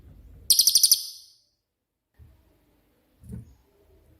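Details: Cililin used as a master song for songbirds like cucak ijo and kacer; a single piercing high rattle of six rapid pulses, followed by faint low thumps and quiet background.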